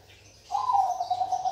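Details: Zebra dove of the Bangkok perkutut type sings a fluttering, trilled coo that begins after a short silence. It starts a little higher, then holds a steady wavering pitch until it is cut off. Low background hum.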